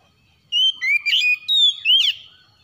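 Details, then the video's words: An Oriental magpie-robin calls in the morning with a short sequence of four or five clear, slurred whistles, some rising and some falling, on a quiet background. "PANGGILAN KACER PAGI HARI"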